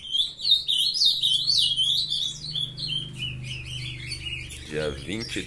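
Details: Young ultramarine grosbeaks bred in captivity warble a quick, high, tumbling song of slurred notes, recorded on a June morning; a man's voice cuts in at the end.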